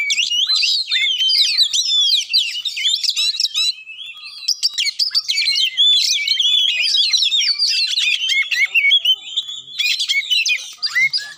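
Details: Magpie-robin in full, continuous song, played to rouse a bird that rarely sings: dense, fast medley of whistles, chatters and buzzy trills with hardly a pause throughout.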